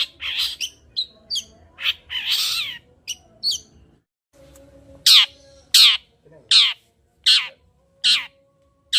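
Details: Long-tailed shrike song for stimulating another bird to sing: harsh scratchy bursts and short high notes, a brief pause, then loud downward-sweeping sharp calls repeated roughly every three-quarters of a second.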